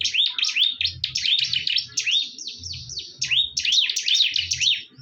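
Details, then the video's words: Fierce fighting bar-winged prinias. Continuous, quick, high-pitched chirps and slurred notes come at roughly two to three per second in uneven bunches over a quiet low hum. "PERTARUNGAN SENGIT BURUNG CIBLEK"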